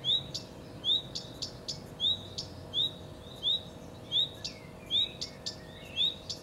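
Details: Common redstart giving repeated short whistled phrases, each a sweet upward note and a brief buzzy tail, about one every second over several seconds, with sharp high clicks interspersed and a low constant hum.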